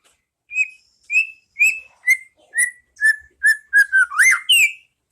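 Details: White-rumped shama masteran for caged-bird training, ngeplong style: steady series of clean whistles about every half second, gently falling in pitch, closing with a quick rising flourish.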